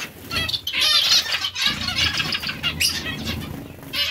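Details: Zebra finches in a busy aviary give nasal, toy-trumpet chirps and rapid chattering notes, with frequent fluttering wingbeats.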